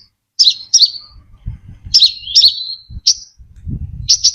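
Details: Brown-throated sunbird lure song, clean recording: sharp high chirps with downward-sweeping tails, paired phrases repeated with short gaps, a faint low rumble beneath.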